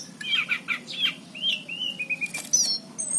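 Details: Singing orange-headed thrush of the anis cendana type, recorded in 2019: a quick run of chirpy notes followed by clear slurred whistles falling in pitch, then a harsh burst and thin high whistles.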